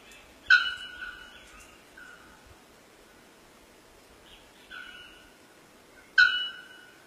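Bare-throated Bellbird giving two loud, ringing metallic clangs about six seconds apart, with a softer echoing note between them.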